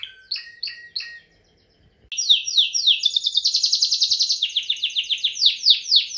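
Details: Timbrado canary song opening with three short chirped phrases, a brief silence, then rapid rolling trills of quick downslurred notes that shift between pitch levels, repeated about three to four times a second.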